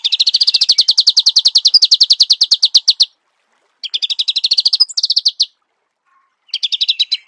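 Marico sunbird singing fast, high twittering bursts of rapid chips, three runs of a few seconds each with short pauses between.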